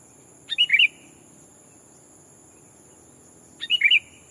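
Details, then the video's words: Sooty-headed bulbul used for bird-luring, giving rival-challenging calls: two brisk, liquid three-note chirruping phrases roughly three seconds apart against a quiet background with a steady high electronic tone. "Burung kutilang pikat memanggil lawan bikin kutilang hutan ketar ketir!!"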